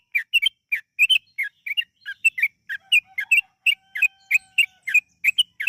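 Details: Yellow-vented bulbul song used as a lure to make birds sing: a brisk, continuous chatter of short liquid notes over a faint, steady low tone in the background.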